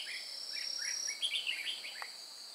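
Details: Decoy red-whiskered bulbul singing a fighting song during trapping at Chùa Hương, 9 May 2018: a quick run of bright, slurred whistled notes rising and falling, backed by constant shrill insect buzzing.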